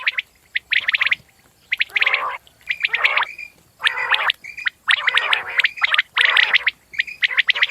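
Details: Common quail giving gargling, bubbly phrases mixed with clipped high notes. Dense bursts are separated by brief pauses, about one each second.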